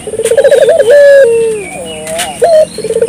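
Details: Spotted dove, persistently calling, gives a quick throbbing stutter of low notes, a held coo that slides downward, then a short bright note before the stutter starts again.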